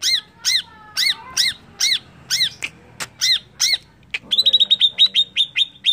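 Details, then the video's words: Lure song of a greater green leafbird meant to agitate other birds: a slow series of loud arched, slurred chirps about every half second, followed by a rapid trill of short high whistled notes. "PANCINGAN CUCAK IJO CEPAT EMOSI COBA SAJA"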